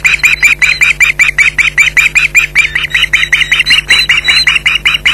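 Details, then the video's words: Ospreys at the Loch Garten nest in July 2011, shouting against a persistent intruder: a rapid, steady series of harsh yelping calls, about two and a half per second, with constant mains hum beneath. "Intruder Alert"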